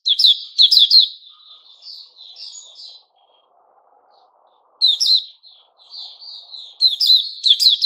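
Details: Caged white-crowned shama in its new-feather season, 6 September 2021: quick high chip notes followed by softer drawn-out whistles, a silent gap of nearly two seconds, then the chirping resumes.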